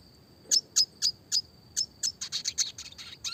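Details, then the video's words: Red siskin singing, classic lively song with a clear voice for songbird training: sharp high chips about every quarter second that speed up into a denser, rattling twitter near the end. "burung red siskin klasik gacor suara jernih masteran burung kecil variasi roll tembak"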